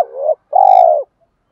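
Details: A spotted dove challenge call used to provoke wild doves: a rising coo cut off sharply, then a loud sustained purr, finely pulsed and rich in overtones, ending abruptly before a faint trailing note.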